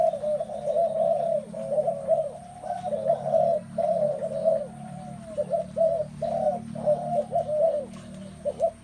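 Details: Spotted doves cooing almost without pause, overlapping strings of soft low notes rising and falling in loudness over a constant low hum.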